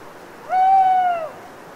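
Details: Single owl at night in Cévennes foothill woodland, Les Assions, France, after prolonged autumn rain, trees dripping. A plaintive, sustained tonal hoot, nearly level, rising briefly and fading downward, set against a quiet wet-forest background.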